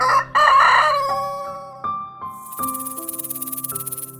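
A rooster gives one loud, harsh crow lasting about a second. Steady musical tones with a rhythmic, shimmering beat follow.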